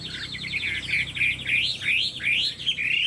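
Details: Chinese hwamei kept in a cage, pouring out a fast warbled trill that turns into sweeping rising whistles repeated in quick succession.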